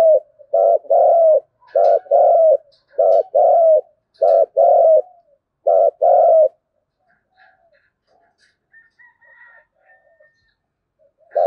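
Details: Spotted dove repeating 'thúc gù' coos in the native-field voice, played to lure wild doves to call back: five quick paired coos, short then longer and falling, then several seconds of near quiet with faint chirps.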